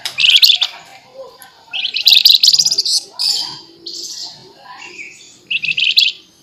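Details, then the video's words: Flamboyan songbird giving loud, sharp, buzzy bursts of chattering trills, each about half a second to a second long, separated by short gaps, with a fainter whistled note between them. "FLAMBOYAN GACOR FULL NEMBAK NYERECET MBESET TAJAM"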